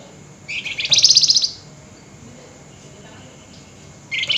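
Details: Flameback at night giving the agitated nyerecet rattle: a fast trill of harsh, high pulses, about four per second, which starts lower, rises in pitch, and is then followed by another burst after a pause of a few seconds.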